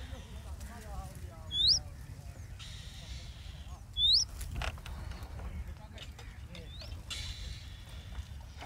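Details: Indian robin feeding its hungry chicks in the nest: two loud, sharp upslurred whistles about two and a half seconds apart, with softer twittering between them and a constant low rumble.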